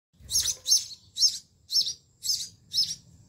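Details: Sparrow chicks in a nest in a homemade sparrow house in a home garden, being fed by their mother: six shrill, high chirps in quick succession over about three seconds, with a faint low hum beneath.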